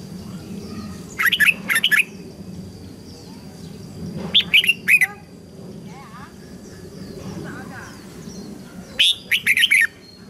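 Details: Red-whiskered bulbul song used to tutor young birds and rouse newly caught ones to sing: three short, bubbly warbled phrases spaced a few seconds apart over a low rumbling background.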